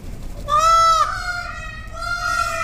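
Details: Peafowl at Korkeasaari zoo in Helsinki, Finland, in 2018, calling as summer begins: a loud, harsh, nasal wail, held level and then sliding down, followed by a second, slightly quieter drawn-out cry.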